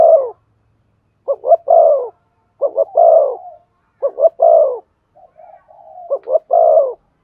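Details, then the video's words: Spotted dove cooing to rouse a decoy into calling: deep, hollow phrases of two quick notes and a longer rounded coo, given four times with a brief quiet soft note between. "Chim cu gáy kích bổi nhanh nổi. tiếng cu thúc gù hay"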